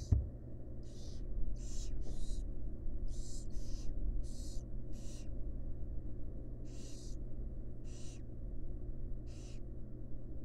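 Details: Barn owl fledglings with their mother, who is feeding them, in a wild, monitored nest box: a quick run of rough hissing bursts, some paired, then sparser hisses trailing off, over low background hum.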